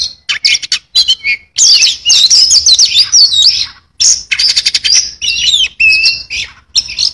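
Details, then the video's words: Oriental magpie-robin in full, varied song: loud high whistles, sweeping slurred phrases and rapid buzzy clicking bursts, broken by brief pauses, with no other sounds. "kacer gacor full isian"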